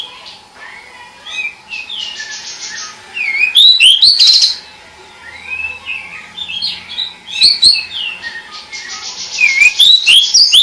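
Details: Song of a pied bush chat, loud tumbling phrases of bright whistles, chattering trills and sweeping slurred notes, repeated in three energetic bursts separated by softer, quieter warbling.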